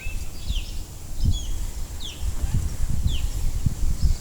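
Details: An osprey picked up by an acoustic detector in a Massachusetts backyard during spring migration gives faint, high, downslurred single-note chirps, about one every half to one second, over a steady low rumble of wind or background noise.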